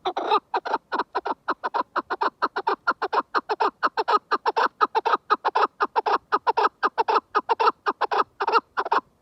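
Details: Chukar partridge giving a long, loud, rhythmic run of harsh chuk notes, roughly four per second and sustained for over nine seconds without a break. No other sounds stand out.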